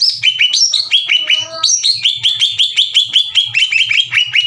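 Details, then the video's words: Greater green leafbird in an angry, fight-challenging song: loud, clear downslurred whistles repeated nearly three per second, opening with a jumbled burst of mixed notes, faint low knocking beneath. "NGAMUK...!!!! CUCAK IJO GACOR NGEPLONG DAN TEMBAKAN KASAR NGAJAK IJO LAIN TARUNG."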